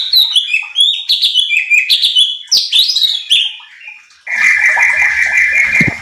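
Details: Cucak cungkok bulbul singing to provoke other birds in training: about four seconds of rapid, chattering, falling whistles, then a steady hissing noise with a held tone.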